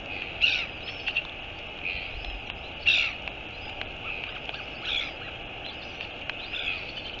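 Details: Northern royal albatross (Diomedea sanfordi) giving harsh, croaking calls in short bursts over steady wind noise.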